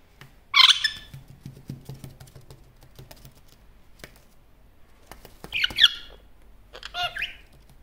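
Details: One-year-old male Superb parrot, a pet, talking to himself while looking in a mirror: two harsh, rasping squawks a few seconds apart and a softer grating call, with quiet clicks and taps between.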